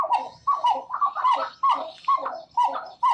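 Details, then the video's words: Two pied-billed grebes sing a song duet at the same time, hollow, barking, cow-like notes repeated about twice a second and overlapping between the birds. "And so those are the songs of the pied-billed grebe."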